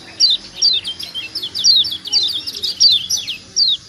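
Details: Kecial kuning white-eye of Lombok giving a 'ciak ciak' call meant to get other birds calling. A steady string of piercing downward-sliding chirps repeats at irregular, brief intervals.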